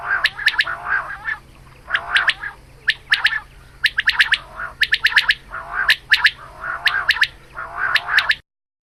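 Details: A female quail calls at dawn with repeated groups of thin, piercing squeaks riding on a low nasal buzz, groups spaced near a second apart, with a constant low hum in the background.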